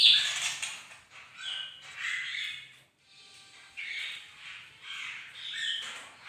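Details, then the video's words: Bird-of-paradise singing in bright morning light: harsh, scratchy phrases, a short silent break near three seconds, then more grating chatter with a faint low hum. "bagus si burung surga lagi gacor"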